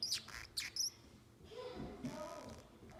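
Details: Male Pacific Parrotlet, seven months old, kept as a pet bird, giving three short high chirps in quick succession, then quiet, with faint murmuring and low room sounds afterward.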